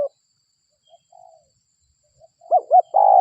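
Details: Spotted dove, local bird used as a lure: faint soft notes, then two quick hooked notes and the start of a long low coo cut off at the end.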